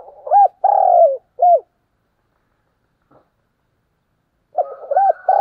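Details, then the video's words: Spotted dove used as a decoy, morning calling: a quick short note, a drawn-out coo sliding down, then a brief arched coo, and after a pause a new phrase begins. "Chim Cu Mồi Gáy Gọi"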